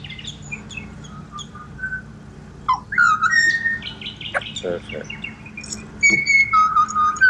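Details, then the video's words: Australian pied butcherbirds sing a varied serenade: quiet piping notes, then a loud, sliding whistle, a rapid buzzy trill, and finally clear, sustained whistles at two pitches. "BUTCHER BIRDS Serenade / Serenata de Pajaros Carniceros"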